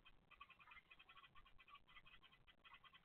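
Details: Bulbul nestlings, filmed by a nest monitoring camera, beg with a rapid, overlapping stream of short, scratchy chirps, several notes each second, faint over a low background hum.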